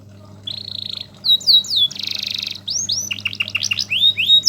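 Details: Canary in full song, kept as a master bird for teaching song; steady whistled tones, a harsh buzzy block, then quick bursts of sharp sweeping chirps, with a faint low hum behind.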